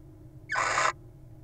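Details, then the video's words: Little owl nestlings in a wild nest box, found two days old on June 5: one short, harsh, hissing snore-like burst lasting under half a second, over a faint low background hum. "From Chirps to Snores: The Adorable Little Owl Lullaby"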